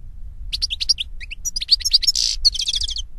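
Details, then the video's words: Singing European goldfinch (Carduelis carduelis) in the open: bright high chirps and tinkling notes lead into a buzzy wheeze, then a rapid run of repeated twittering notes, with faint low rumble beneath. "Birds Singing - European Goldfinch"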